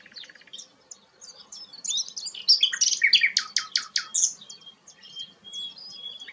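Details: Sikatan londo flycatcher, a songbird kept as a tutor bird for training white-rumped shamas, singing steadily: high, rapid jumble of twittering notes, then a loud burst of sharp repeated chips and varied whistles that fades back into softer chatter.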